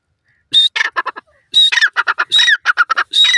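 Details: Grey francolin in Indian open country: loud, harsh, squawking call in rapid bursts of short broadband syllables, each burst opening with a thin high whistle-like note and followed by a quick stuttering series.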